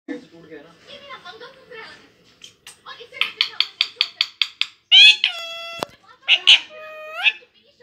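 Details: Pet parrot mimicking human speech, saying "Patte Poot": murmured speech-like syllables, then a quick run of about eight clipped harmonic notes, followed by bright, drawn-out whistled tones rich in overtones, indoors.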